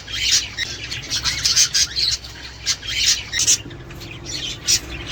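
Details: Budgerigars chattering to stimulate courtship, breeding and eggs; buzzy warbles punctuated by sharp chirps and short squawks in quick bursts, with a low hum beneath.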